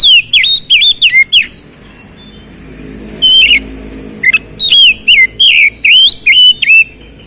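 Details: Oriental magpie-robin singing, used to coax a silent bird back into full song: bursts of loud, clear whistles that swoop up and down, grouped in quick runs with a short pause in the middle.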